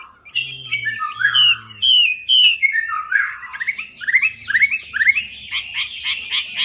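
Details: Melodious laughingthrush song for luring silent birds: tumbling whistles stepping down in pitch, then a rising, busy run of quick twittering notes, with brief low humming near the start.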